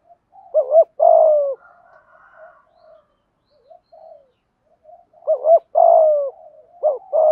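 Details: Malaysian spotted dove cooing in the thúc gù manner: a clipped double note runs into a long, deep, falling coo. Quiet murmurs follow, then the same loud phrase pattern returns twice more.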